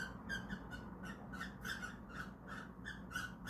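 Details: Caged cockatiels indoors, caught trying to mate, utter quick squeaky chirps in an uneven series of roughly three per second, ringing over faint low room hum.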